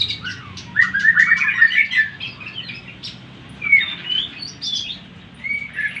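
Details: Greater green leafbird song played to stir up rival leafbirds: a rich warbling burst followed by spaced short whistled slurs and faint chatter.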